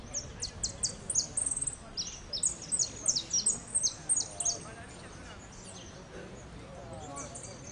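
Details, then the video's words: Saffron finch singing in the repique style at a winners' final of a singing contest, dated 12 01 14. High, sharp chirped notes come in rapid bursts of short repeated phrases over about five seconds, then fade, with faint background murmur. "Participo en blanco de repique"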